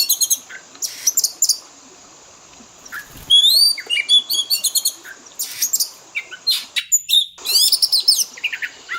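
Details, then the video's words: Oriental magpie-robin fill-in song meant to help kept birds learn imitations: scattered high chips at first, then clear rising whistles, harsh buzzes and a burst of rapid twittering near the close. "Pancingan burung Kacer; full isian istimewa"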